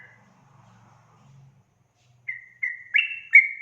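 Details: Sooty-headed bulbul in ropel-style song meant to provoke rivals. A faint low hum comes first, then four clear whistled notes rising and falling near the end.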